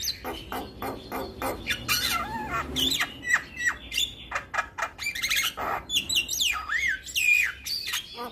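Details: Javan myna in full energetic song for teaching young birds to respond: a busy mix of harsh squawks, sharp clicks and looping, rising and falling whistles with almost no pauses.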